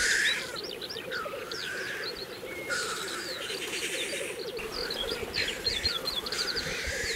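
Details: Black grouse display at an April 2024 lek in Kologriv Forest, Russia: an unbroken low bubbling hum underlies lively twittering and whistled phrases from other birds.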